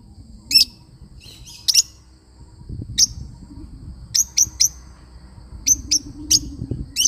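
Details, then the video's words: Lovebird parrot uttering high, sharp chirps singly and in quick clusters of two or three over low rumbling background noise. "love bird singing sound"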